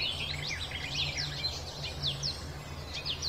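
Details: Sedge warbler, also called kerakbasi alis hitam, singing in the tembakan variasi style: varied high whistled and slurred notes, some rising and some falling, tumbling in quick succession over a steady low hum.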